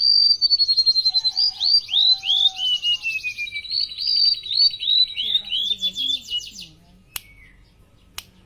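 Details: Golden-bellied gerygone, locally rempetuk laut, a bird of mangroves, coasts and estuaries in Indonesia, singing a sweet series of high whistled notes, many sliding downward, in a fast harmonious run, fading out near the end, followed by a couple of clicks.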